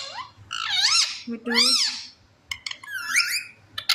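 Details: Talking pet parrot in a small indoor room gives loud, rich voice-like phrases, each rising then falling in pitch in arching sweeps, followed by clicks and a final bright rising call.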